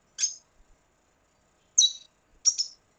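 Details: Red siskin, Venezuela: three separate high, sharp chirps, each a short rising-falling note, with long quiet gaps between them.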